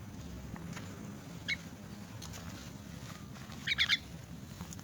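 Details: Orphaned, crippled myna calling while being fed: one short harsh chirp, then a bright burst of three rapid scratchy notes near the end, over a steady low hum.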